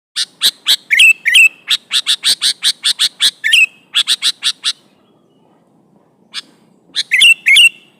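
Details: Sooty-headed bulbul in lively song, said to be calling an opponent: long run of sharp repeated notes, about three per second, some ending in bubbly downslurred phrases, then a short pause and a final burst of liquid notes.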